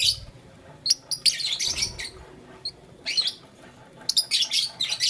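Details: Lovebirds in blue, lutino and green plumage, toying with a flower, give sporadic sharp high chirps and bursts of harsh chatter with quiet stretches between.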